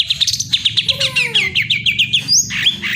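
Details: Greater green leafbird song: a fast run of sharp, bright chirps near the top of the range, with a lower, sliding whistle in the middle and a rising upward whistle near the end, over a steady low hum.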